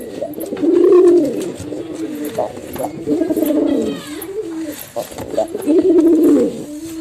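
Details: Male and female domestic pigeons giving low bubbling coos, three swelling phrases roughly every two and a half seconds with short grunting notes between, some clicks and rustle behind.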